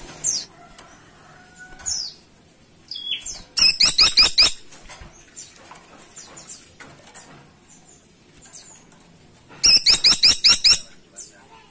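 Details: Caladi tikotok woodpecker calling actively, giving two bursts of fast, sharp, high notes several seconds apart, each run of five or six, among faint scattered chirps and soft background noise.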